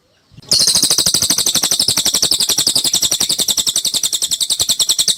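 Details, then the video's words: After a brief quiet start, a lesser green leafbird, used to tutor songbirds finishing their moult, launches into a steady, high-pitched, rattling chatter of quickly repeated notes. "BURUNG CILILIN"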